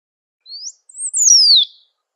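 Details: A single high song phrase from a great pampa finch (sabiá-do-banhado) in the wild. A soft upslurred whistle is followed by a tiny click, then a strong downslurred whistle that fades out. No other sounds are heard.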